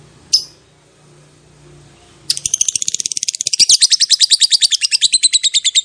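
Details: Lovebird 'ngekek panjang', a long chattering lure to set other lovebirds answering. One sharp chirp and a quiet hum, then an abrupt burst of fast, shrill, rattling notes that continues to the end.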